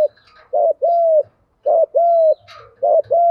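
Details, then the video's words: Strong, clear spotted dove cooing, a lure voice for training wild-caught and decoy birds: three short-then-long phrases, each a brief hoot followed by a steady drawn-out coo, about one second apart. "cu gáy giọng đồng gù vấy thúc cực căng"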